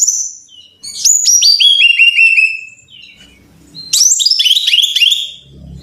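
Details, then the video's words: Brown-chested jungle flycatcher song, played so caged birds learn to sing: a descending series of quick repeated notes, a short pause, then a busy tumbling cascade of downward-slurred notes. "Pancingan Masteran Suara Burung (SIKATAN RIMBA DADA COKLAT)"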